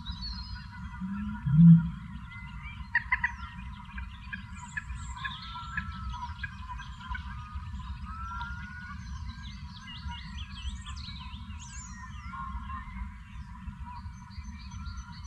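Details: Male Eurasian bittern booming from reedbeds about 95 m away, roughly fifteen minutes before sunrise at RSPB Otmoor, Oxfordshire, UK, after a brief threat display: one deep, hollow, foghorn-like boom over low rumble and faint dawn chorus.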